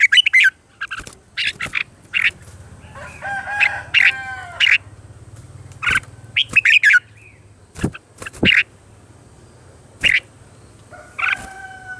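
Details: Red-whiskered bulbul morning song used to train other birds, with scattered short whistled phrases and sharp chirps; a rooster crows briefly in the background midway.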